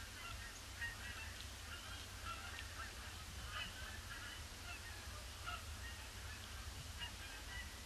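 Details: Canada geese circling a pond before landing on a grey Boxing Day; scattered honks from a distant flock, occasional closer calls, over constant low rumbling noise.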